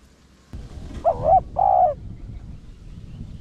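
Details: Spotted dove (cu gáy) calling in the pure 'Rặc Đồng' voice style, an urging coo used to lure wild doves: one two-note phrase, a short wavering hoot followed by a longer steady low coo, over a faint low rumble.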